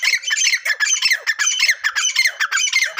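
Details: Fighting grey francolin calling in a steady series of harsh, rasping squawk phrases, repeated nearly twice a second without pause.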